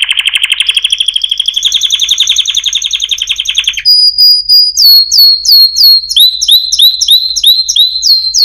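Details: Chant canary opens with a rapid rolling trill that climbs gradually in pitch for nearly four seconds, then a brief pure whistle, followed by repeated downward-sliding whistled notes at a steady brisk pace.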